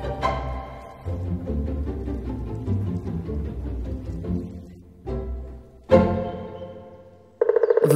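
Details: Orchestral music with low strings and timpani-like drums swells and pauses, ending in a sustained higher chord; no animal voice is heard.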